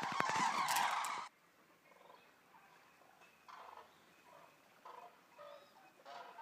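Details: Eurasian common cranes, a resting flock of about 200 arriving at the Racconigi stork centre: a loud, dense burst of overlapping harsh trumpeting calls for just over a second, then scattered fainter calls over a quiet background.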